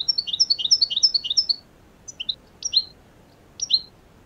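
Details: European goldfinch in the wild, away from cages: a quick run of bright tinkling twitters, then three short separated chirping phrases over a soft outdoor background.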